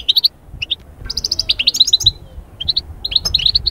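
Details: European goldfinch song meant to lift birds out of moult into summer breeding mood: rapid runs of clear, high tinkling notes and twitters in quick succession, with a short pause midway.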